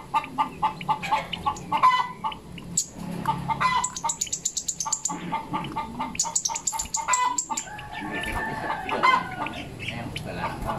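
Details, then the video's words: Zitting cisticola, a small insect-eating songbird, sends out quick trains of sharp, high ticking notes in short bursts, with hen-like clucks and other bird chatter around it. "cici Padi coklat(zitting cisticola) lagi berkicau"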